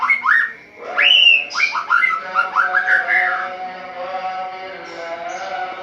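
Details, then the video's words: Caged white-rumped shama singing vigorously at dawn once its cage cover is opened, in the open-throated style called ngeplong: loud whistled rising and falling sweeps strung quickly together, then fading, over a steady background hum. "Murai Batu Ngeplong buka tutup sangkar langsung gacor | Burung Murai Gacor Subuh Subuh"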